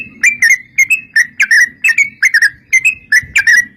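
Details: Sooty-headed bulbul giving 'gacor' song as a lure for other bulbuls: paired whistled chirps, slightly falling, repeated steadily several times per second over a soft low hum.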